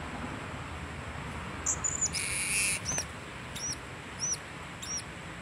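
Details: Solo blue-crowned hanging parrot, recorded 26 October 2017: sharp, very high, slightly down-slurred single squeaks spaced about half a second to a second apart, interrupted early by a short rough noise burst, over quiet hiss.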